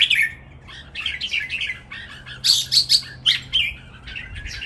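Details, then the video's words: Three caged red-whiskered bulbuls in a spirited 'ten rik-ble' training song. An opening loud chirp, softer chatter, then a string of four or five loud, clear, whistled notes in quick succession before quieter chirping resumes. "นกกรงหัวจุก เจ้าขุนอินทร์ VS เจ้าขวานฟ้า VS เจ้าขุนไกร เสียงร้องเล่นเต้นริกเบิ้ล นับดอก แม่บท"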